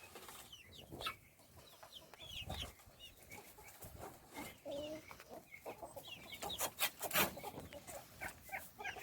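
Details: Small chickens being fed chirp in scattered high peeps and short slurred notes. Soft voices and sharp tapping noises occur among the calls.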